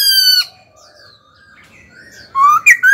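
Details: A caged laughingthrush being stimulated to sing gives loud, rich whistled phrases with slurred falling notes, a quieter gap of softer warbles, then a bright ringing burst.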